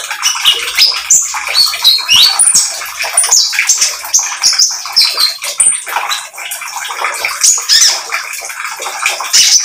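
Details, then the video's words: An eager spotted oriental magpie-robin pours out a long varied song used to coax other birds into singing, full of piercing whistles, quick trills and chirps over continuous hiss. "KONIN TROTOL GACOR MEMANCING KONIN BAHAN AGAR ikut BUNYI"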